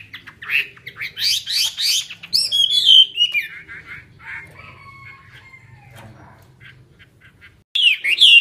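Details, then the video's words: A Chinese hwamei pours out a loud, rich song of rapid buzzy trills and clear whistles sliding downward, then fades to soft notes before a sharp burst resumes. "chim họa mi hót xòe"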